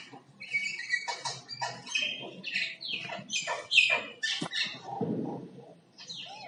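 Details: Common myna making varied song-like sounds: rapid series of gurgling, squawking and whistled notes, some rising and falling sweeps, loud and dense through the middle, fading near the end.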